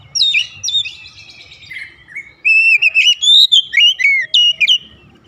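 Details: Oriental magpie-robin calling in full rhythm: opens with a sharp whistle and a soft buzzy chatter, then a quick series of strong, clear whistled notes sliding up and down.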